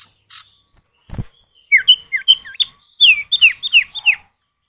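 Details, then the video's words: Male and female common iora exchanging calls as a lure: after a soft note and a thump, a run of about nine bright, slurred, downward whistles, closer together toward the end. "Pancingan Burung Sirtu atau Cipow, suara jantan betina bersahutan"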